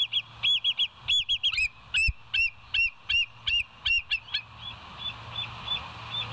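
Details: Bald eagle filmed by a West End live nature cam on 08/01/2023, 05:18; rapid high whistled notes with a falling inflection repeat about a dozen times, then fade into softer distant piping over a low background hum.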